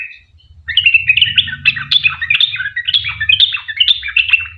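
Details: Long, chattering 'ropel panjang' song of a sooty-headed bulbul meant to make other bulbuls sing along; quick, jumbled chirps after a brief opening note, with a low engine-like hum underneath.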